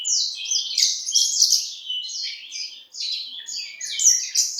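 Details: Horsfield's bushlark of the East Java type in diligent song, delivering fast, jumbled high notes and buzzy phrases with one brief break midway.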